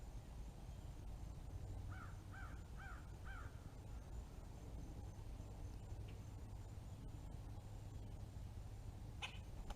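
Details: Red-bellied woodpecker fledgling giving four short, nasal, slightly downslurred calls in quick succession, faint beneath strong low rumbling background noise, with a sharp click near the end.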